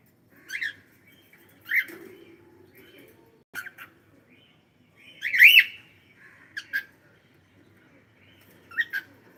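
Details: Pet cockatiel giving short chirps and squawks, single notes spaced irregularly a second or more apart, one louder rising note near the middle, in a quiet room.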